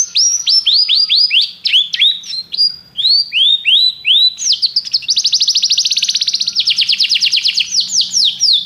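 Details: ['Canary repeating arched whistled notes at a steady pace, then switching to a long, very fast high trill of rolling notes, loud and continuous.']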